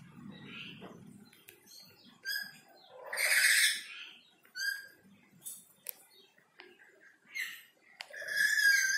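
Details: Black-capped lory chattering behind a window, a mix of short whistles, chirps and one loud harsh squawk, ending in another raspy call, with some low rustling early on.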